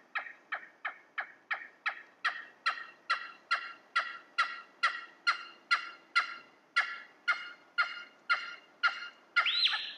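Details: Cheer pheasant (Catreus wallichii) calling in a cold, quiet forested valley in the early morning: a long run of loud, harsh, clipped notes, about two per second, steady and insistent.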